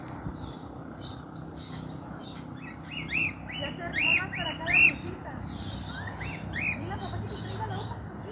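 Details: Free-flying escaped cockatiel on a house rooftop, a bird not usually seen in the area; a burst of several bright, arched whistled calls in quick succession, then one more call, over a constant low hum.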